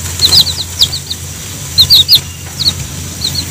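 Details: Chicks fed banana by a mother hen that calls them to eat; sharp high peeps in small clusters of two or three, separated by short quiet gaps, over a low steady hum.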